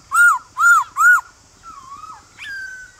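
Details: A male White-cheeked Laughingthrush calls in the morning to stir wild-caught birds into song. Three loud, rounded whistled notes come in quick succession, followed by quieter, thin, level whistles.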